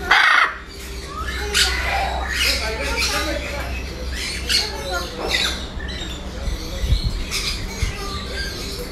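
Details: Parrot talking: a run of harsh, broadband squawking bursts about once a second, mixed with speech-like sounds, over a steady low hum.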